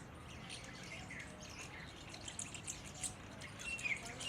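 A myna gives scattered harsh, chattering notes and a brief high whistle near the end over a steady outdoor hiss, with a faint voice possibly in the background.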